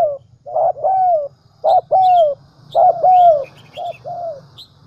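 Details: Lure call of a spotted dove for attracting doves: repeated phrases of clipped coos, each ending in a long, slightly falling coo, over a steady low hum. Light chirps from other birds sound in the background.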